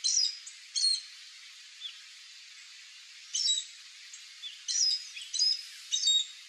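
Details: Repeated sharp squeaky calls from a chestnut-eared aracari, a fruit-eating toucan relative of central Brazil, delivered in quick clusters at irregular intervals.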